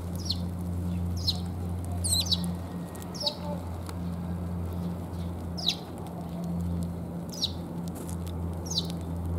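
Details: Sparrows recorded on 17 January on the way home: short, sharp, downward-sweeping chirps, roughly one per second and some doubled, over a steady low traffic-like hum.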